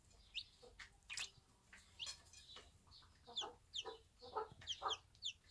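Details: One-day-old Bantam chicks with their mother hen in a backyard: quiet, high, downward-sliding peeps in small bursts, with a few soft, low clucks mixed in.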